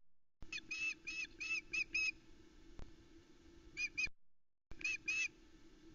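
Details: Morning fish delivery at a Loch Arkaig osprey nest, July 2020: the female calls as the male lands with a headless trout; short bursts of sharp, piercing whistles in groups of a few, a quieter gap between, over a low background hum.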